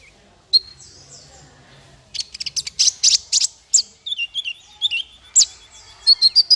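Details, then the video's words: Master song for teaching small fighter birds: one high sharp note, a pause, then a dense run of piercing chirps and slurred whistles, ending in quick rising tweets. "Masteran paling merdu untuk burung faigter kecil"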